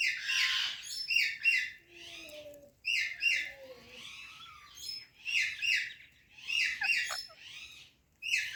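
Rose-ringed parakeet giving rapid, harsh, high chirps in bursts every second or so, with a few softer lower whistles between.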